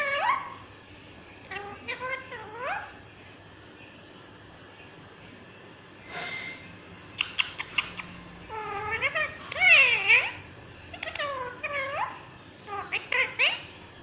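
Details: Pet green ringneck parrot talking: short bursts of harmonic, sliding speech-like syllables that rise and fall, with gaps of quiet between phrases and a run of sharp clicks midway through, recorded indoors.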